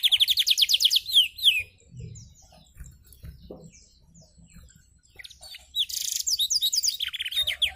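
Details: Canary practising blackthroat song with wings open: rapid repeated whistled trills open the phrase, a quiet pause with faint rustling follows, then buzzy rattling notes and fast trills resume.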